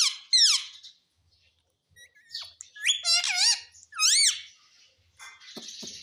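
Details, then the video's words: Talking pet ringneck parrot at home, known for "mummy": sharp descending squawks, then clusters of wavy arched harmonic notes, ending with a rough noisy burst. "Talking parrot || Mummy bolne wala tota || bolne wala tota"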